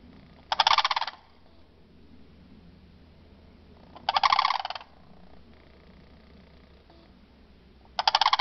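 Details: Sandhill crane family visiting in the morning at a large animal rescue facility in Venus, Florida; loud, rolling, rattling calls come in three short bursts roughly every three and a half seconds, separated by a quiet, low background hum.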